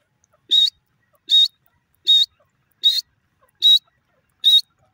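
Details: Francolin (teetar) calling: six short, loud, harsh whistled notes with a bright high tone, evenly repeated about every 0.8 seconds against an otherwise quiet background.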